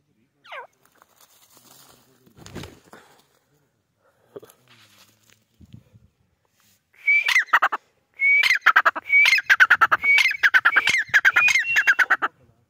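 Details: White francolin (white teetar) giving harsh, scratchy calls with hooked, falling notes, repeated roughly once a second in a burst of about eight over five seconds, after a quiet opening with a short sliding whistle and scattered faint noises.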